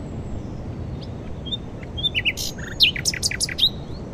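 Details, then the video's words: A nightingale, the first heard this spring, sings from deep in a thicket in high wind at dawn, just arrived at its nesting site from West Africa, Glapthorn Cow Pasture, Northamptonshire, UK, around 18 April: quick varied sharp high chirps and whistled slurs over low rumble. "nightingale singing at dawn"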